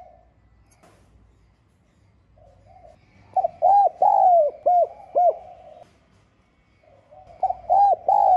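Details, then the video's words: Spotted dove in the 'giọng son' voice, giving a calling and urging coo used to stir rival males. After a quiet start comes a phrase of five hollow, arched coos, one drawn out, and a new phrase begins near the end. "Tiếng Cu Gáy GIỌNG SON [ GÁY GỌI - THÚC ]"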